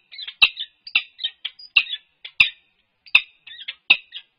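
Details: Wild peregrine falcon pair at a University of California, Berkeley nest site on March 4, 2022, calling during head-bowing and nest-scrape courtship: bursts of harsh, chittering chips, about eighty per minute, uneven rhythm, several loud notes standing out.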